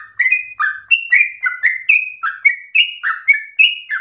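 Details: Yellow-vented bulbul delivering a rapid, unbroken, long-breathed song that serves as a model for untrained bulbuls. Rich, rolling notes climb and fall in brisk succession with small gaps, and no other sounds.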